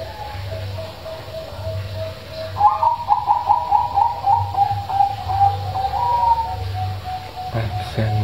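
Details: Zebra dove with a big voice, played to coax reluctant doves into singing: a soft held coo, then a rapid bubbling series of staccato notes lasting about four seconds, trailing into a steady tone, with low hum behind.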